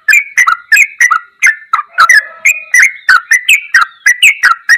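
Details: Ropelan goklikan style song of a yellow-vented bulbul, a fast run of liquid, warbling notes with abrupt percussive starts, repeated steadily with short gaps and a faint lower hum midway.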